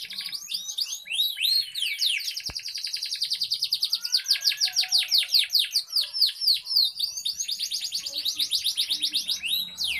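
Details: Gacor canary with cengkok ornamentation singing continuously: a run of varied sweeping notes leads into long fast trills of repeated downslurred elements, high and bright, pulsing steadily for most of ten seconds with one click early on.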